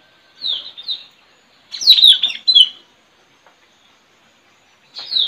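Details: Straw-headed bulbul kept to call wild birds, recorded at a village home on 4 April 2021; scattered phrases of high falling chirps, a louder burst near two seconds, then a last short phrase.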